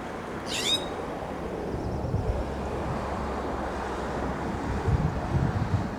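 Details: California scrub jay perched on a coast live oak branch in Del Monte Forest, California, giving one harsh, raspy, downward-sweeping scold early on, with a faint high trilling bird and steady low rumble behind.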